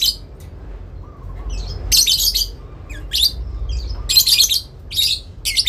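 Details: Adult lovebird answering a rival with a long ngekek; raspy high bursts roughly every second, separated by quieter thin warbling chirps, with a low rumble in the background.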